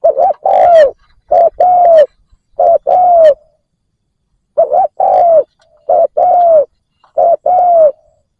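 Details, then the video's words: Spotted dove used as a decoy to call in wild doves. Steady series of two-note cooing phrases, a quick hooked coo then a longer falling coo, repeated about every second and a half after one pause. "Cu mồi gáy kích bổi cực nhạy dành cho bổi khó tính"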